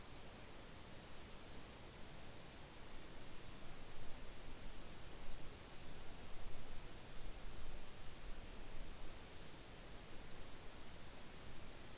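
Only a steady, low, rustling hiss is heard throughout, with no animal call.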